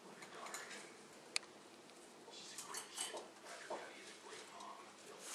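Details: Male Quaker parrot saying his common words in soft, raspy, word-like bursts, uneven and breathy, with a single sharp click partway through in a quiet room.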